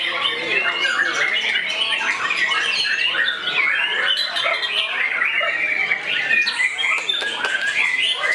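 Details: White-rumped shama going on the attack against a rival bird, singing nonstop in rapid, varied bursts: piercing whistles, harsh chatters and quick upward sweeps layered densely together.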